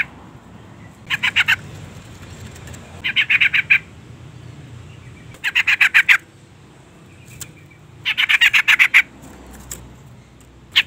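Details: Female sooty-headed bulbul calling to provoke a male: bursts of rapid harsh chattering notes, each burst about half a second long, repeated four times with quiet gaps between.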